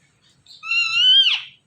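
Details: Pet Ringneck parrot mimicking a cat's meow while watching itself in a phone: one clear, nasal, level whine of about a second that bends down and breaks at the end, in a quiet room.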